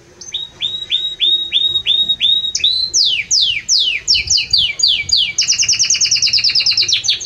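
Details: Belgian canary singing loudly and warmly: a series of repeated upward-hooked whistled notes, then rapid descending sweeps, ending in a fast buzzy trill of many short repeated notes.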